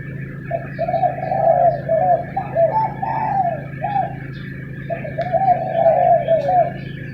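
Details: Spotted doves arguing in the morning: a run of mellow, slightly falling cooing notes in overlapping phrases, about two per second, over a steady low hum.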